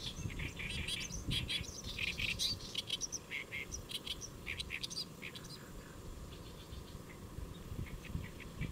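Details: Great reed warbler singing from a lotus leaf at Saemangeum, Gimje, South Korea, on 1 July 2024 around midday: harsh, chattering repeated notes in uneven bursts over a steady low rumble.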